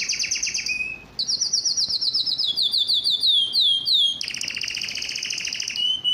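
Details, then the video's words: Yellow canary singing varied tours: high trills, a short pause, a string of falling slurred notes, then a loud, dense rolling trill. "yellow canary singing"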